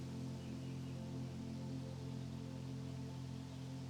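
Soft, sustained ambient music with steady low drones plays throughout, and no animal can be heard.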